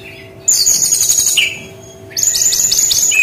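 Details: Singing brown-chested jungle flycatcher: loud rapid buzzy trills of high notes ending in a lower slurred whistle, a pause, then another fast chattering burst with sharp stuttered notes.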